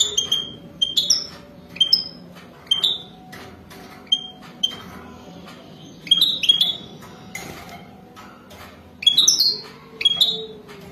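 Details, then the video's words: Mating song of a wild European goldfinch: short high tinkling notes repeated at irregular intervals, then clusters of quick twittering slurs toward the end, over a soft low background. "تغريد حسون وداني"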